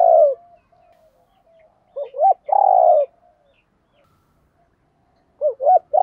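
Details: Spotted dove calls, cock and hen, played to rouse trained cage birds; one deep coo, a pause, then a pair of short bent notes leading into a long hooting coo, repeated after a silence.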